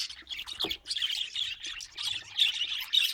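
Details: Happy pet budgies chattering nonstop, a dense stream of buzzy, squeaky notes with a sharp downward squawk early on and thin whistles near the end.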